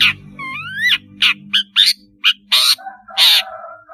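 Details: Singing long-tailed shrike, used to lure and train spotted juveniles: a smooth rising double whistle, then a string of harsh scratchy bursts and a lower buzzy note, over a faint low hum.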